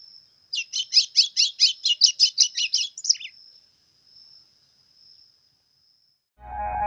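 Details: White-throated seedeater of 'pardo' colouring singing hard in 'pressão' style: a quick burst of about a dozen buzzy notes for two and a half seconds, then quiet whine and a low rumbling noise at the end.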